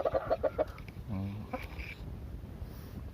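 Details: A small mini rooster gives a quick run of five clipped, mid-pitched clucks, followed by a man speaking.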